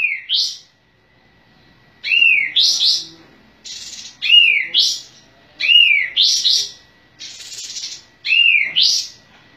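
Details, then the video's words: Sooty-headed bulbul singing persistently, tail opened, repeating a short slurred whistle with a rising flourish roughly every two seconds; brief rough noise bursts fall between phrases. "Masteran Kapas Tembak"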